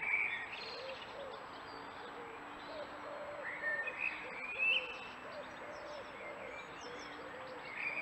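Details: Eurasian blue tit, angry about being filmed, 12 April 2019, uttering brief high chirps at intervals while soft lower notes repeat faintly underneath amid steady hiss.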